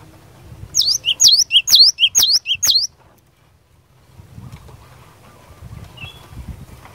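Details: Cinereous tit singing in fighter style to provoke rival birds into replying: a quick run of five high, piercing two-note phrases, followed by quiet rustling and low background noise.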